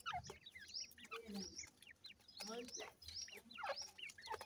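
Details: Bright rising and falling peeps of grey francolin chicks during feeding, overlapping with low voices and soft handling noise.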